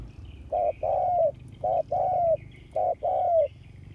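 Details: Spotted dove serving as a ground decoy for luring wild doves, August 2021: three evenly spaced couplets of a clipped coo followed by a long mellow falling coo, under a faint high chirping.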